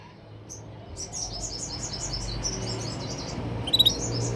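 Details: Canary delivering a quick string of high, slightly rising chirps repeated several times a second, ending in a short, louder, sharp triple note, over a faint low hum.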